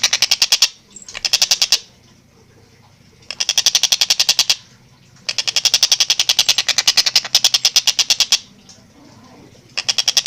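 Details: Stork-billed kingfisher in full energetic voice, recorded for clear, fast, tightly packed calling. Long trains of harsh, rapid rattling pulses, about fifteen to twenty per second, come in bursts of one to two seconds separated by short silences.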